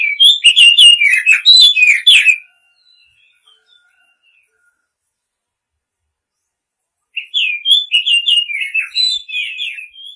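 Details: White-rumped shama, a male singing to call a female: two bursts of rich, varied whistles and warbling phrases, each about two seconds long, separated by roughly five seconds of silence.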